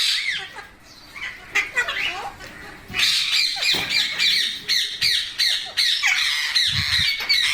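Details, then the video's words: Parrot squawking almost without pause: rough, grating, rapidly repeated calls, about three each second, growing louder and denser after the first few seconds. "Amazing Parrot Talking Videos| Parrot Natural Sounds Videos/ Voice"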